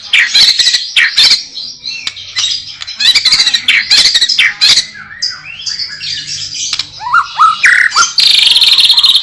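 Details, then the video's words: White-rumped shama (murai batu) pouring out 'isian' song: loud varied bursts of harsh chatter, sharp clicks and slurred whistles, ending in a fast buzzy rattle. "kicau murai batu.. fuul isiaaan"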